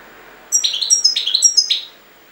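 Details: European goldfinch from Jagodina giving three quick bright chirps, each a sharp, ringing note sliding downward, spaced about half a second apart, against a quiet background.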